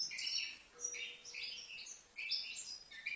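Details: A five-month-old goldfinch from Livno gives a few seconds of sweet, slurred whistles and tinkling chirps in two quick bursts separated by a brief pause. A faint, steady low hum runs beneath.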